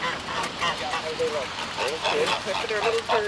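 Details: Flightless Embden geese returning to Sullivan's Pond in Dartmouth on the morning of March 26 after winter shelter: nasal, wavering honks in quick succession, mixed with people talking nearby.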